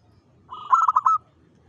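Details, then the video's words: Lure song of a local zebra dove, sung eagerly to attract other zebra doves: a soft lead-in swelling into four crisp, bubbling coo notes and a held final coo. "PANCINGAN SUARA PERKUTUT LOKAL GACOR PEMIKAT SEMUA JENIS PERKUTUT"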